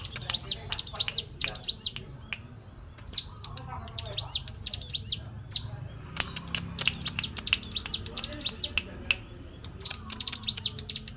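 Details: Hill prinia cetrekan chattering, used as a lure to prompt other birds to call; runs of thin, upward-sweeping chirps come in rapid groups, mixed with dry clicks and scattered ticks over low background rumble.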